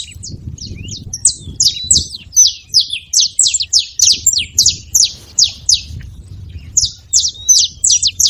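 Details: Several saffron finches together make a long, dense stream of high, sharp, downslurred chirps, close to three a second, pausing briefly before resuming, with low rumbling noise at the start.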